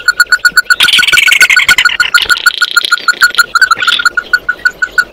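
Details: Oriental white-eye singing to call its flock: a steady run of short clipped notes repeated rapidly, nearly two per second, broken by a buzzy, twittering burst of higher chatter in the middle.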